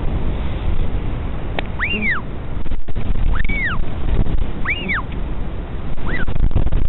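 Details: Adult male northern royal albatross back at the nest checking on his chick, Taiaroa Head, New Zealand; high arched whistles rising then falling, about four in seven seconds, over heavy wind noise.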